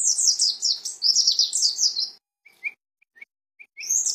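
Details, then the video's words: Mountain white-eye (pleci dakun), Cisewu, Garut: a sustained two-second stream of hurried, high, tumbling twitters, then a pause broken by soft brief chips before the twittering resumes. "pleci dakun garut cisewu"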